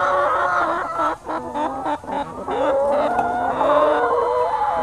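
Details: Free-range young hens at a chicken farm on the Lower Rhine, Germany. Many birds cluck and croon at once, giving rapid, choppy notes and rising and falling whines that layer into a busy chatter.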